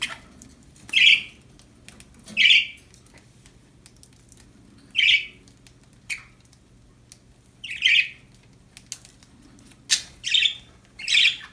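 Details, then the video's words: Happy budgies chirping: eight loud, clear, slightly squawky chirps spaced one to three seconds apart, with a faint low hum underneath. "Happy budgies chirping sound"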